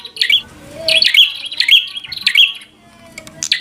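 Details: Bar-winged prinia singing aggressively to rile an opponent: dense, buzzy, high chirps in quick clusters, with a faint lower whistle early on and light background noise.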